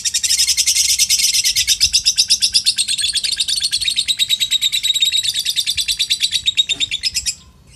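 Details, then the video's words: Contest lovebird, Curuk Bentik, delivering an ekek batim song: a fast, high, rattling chatter of repeated buzzy pulses held for about seven seconds before stopping abruptly, with quiet background. "Love Bird Curuk Bentik"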